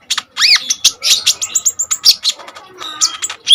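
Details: Common iora singing without pause, for luring and tutoring kolibri ninja birds: an arched, slurred whistle, then a dense, scratchy, high twitter of quick chirps and clicks running almost without break.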